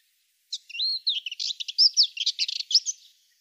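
Subalpine warbler: a fast, scratchy warble of high, varied twittering notes, delivered in a single burst lasting about two and a half seconds, with no other sounds.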